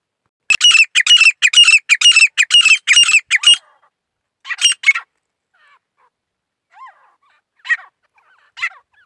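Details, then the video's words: Grey francolin singing in the wildlife season: a fast run of about ten loud, harsh, squawking notes in quick succession, then a pause and a few softer, scattered notes. "teeter birds 🐦 grey partridge 🐦 songs"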